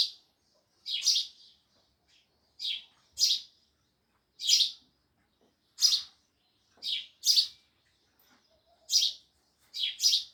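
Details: Loud chirping of sparrows, a steady series of bright harsh chirps, often in pairs, about every second.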